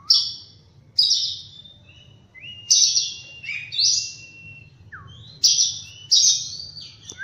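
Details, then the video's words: Oriental magpie-robin singing at morning, alternating loud, bright chirped notes with softer level and down-slurred whistles, phrases spaced about a second apart over faint low background hum. "Birds Chirping In The Morning| Natural Sound of Birds Singing|Oriental Magpie-Robin"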